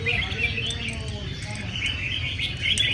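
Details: Red-whiskered bulbuls, a group singing in competition at a regular contest session crowded with enthusiasts: dense overlapping bright chirps and warbled phrases, rapid and unbroken, over a steady low rumble of crowd noise.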